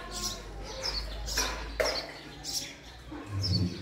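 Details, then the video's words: House sparrow calling with bright, high chirps spaced irregularly, over a steady low hum with faint voices in the background. "sparrow sound: female Sparrow sound vs. male Sparrow Sound, house sparrow call"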